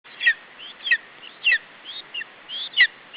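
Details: Lesser spotted eagle chick at an Estonian nest on 21 July 2012, around 17:00, defending its food against an adult male: thin, high whistled calls sliding downward, repeated roughly every half second over a steady hiss.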